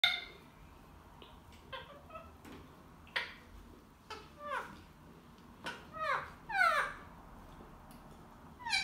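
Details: Two pet ringneck parrots arguing: bursts of harsh, ringing squawks and chattering chirps, each note a short sharp downward sweep, coming in scattered clusters with quiet gaps and a loud run of calls near the end.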